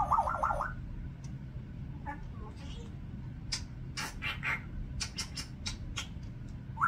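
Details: A 36-year-old female Congo African grey parrot opens with a quavering, trilled whistle, then gives a run of harsh, bark-like bursts before a final rising whistle, over a steady low indoor hum.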